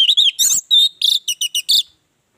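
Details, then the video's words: Orange-headed thrush song used to coax other birds into voice: a fast string of loud, slurred whistles and harsher chattering notes, about nine phrases in two seconds. "Pancingan ampuh Anis merah bikin yang lain bersuara"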